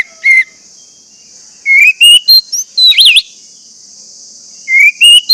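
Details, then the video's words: Orange-headed thrush song meant to stimulate silent birds: brief rising whistles and a wavering slurred note in a short phrase, a pause, then another rising whistle, all over a steady high-pitched hiss. "pancingan anis merah agar anis merah macet cepat bunyi dan gacor"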